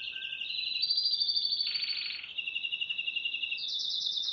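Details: A yellow Spanish Timbrado canary from 2011 pours out continuous rolling trills, shifting between high and mid pitches, with a brief lower buzzy section in the middle and a rising bright trill to finish.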